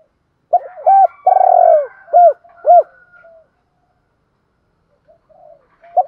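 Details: Decoy dove calling to draw in wild birds: a series of deep, hollow coos in a short phrase, one drawn out longer, ending with softer notes, then quiet and a final coo.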